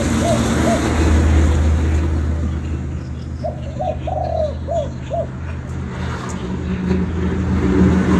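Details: Vietnamese spotted dove cooing: two brief coos open, then after a pause a fuller phrase of short hollow notes around a longer middle coo, with a continuous low engine hum throughout.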